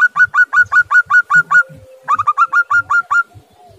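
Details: A local zebra dove, a female ("biang") calling, gives two quick runs of short, clipped, ringing notes, about eight in each burst, separated by a brief pause.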